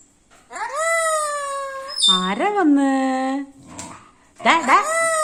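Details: Parrot talking in a kitchen: drawn-out harmonic vocal sounds, one long rising-and-level note, a lower wavering one, then a brief noisy burst and short rising syllables, with a faint high steady tone behind.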